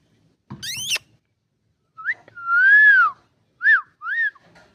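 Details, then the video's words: Indian ringneck parakeet talking, saying good morning: a short harsh burst followed by clear whistled, arching speech-like tones, one long rising-then-falling note and two brief upswept notes, indoors. "talking parrot good morning"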